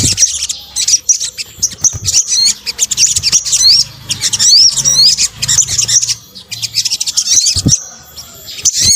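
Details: Sunbird (sogok ontong) lure mix: very high, squeaky twittering with many short upswept notes in fast clusters, fading briefly near the end before resuming.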